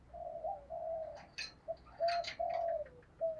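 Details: Decoy spotted dove of the 'thổ' voice type calling to lure wild birds: drawn-out, low hollow coos at moderate distance, overlaid by sharp high chirps from other birds and a faint background hiss.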